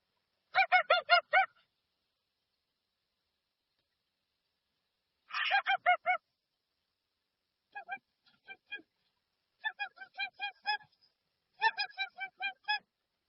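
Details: Dusky-legged guan calling in irregular groups of harsh honks, the first two bursts loud and the later series softer and more clipped, with long silent gaps.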